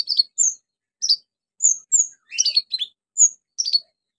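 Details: Orange-headed thrush delivering a lively song for prompting silent birds: crisp high whistled notes and short tumbling chirp clusters repeated at irregular intervals of about half a second.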